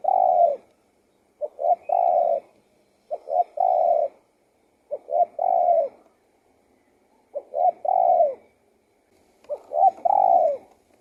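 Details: Spotted dove singing: a clear low coo phrase of two or three short notes then a longer, falling coo, repeated about every one and a half to two seconds, six phrases in quiet surroundings.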